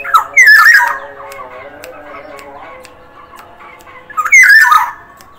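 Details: Black-naped oriole from Sumbawa calling vigorously, two loud mellow whistled phrases with a twisting, slurred shape, the first near the start and the second after four seconds, over soft ticking in the background.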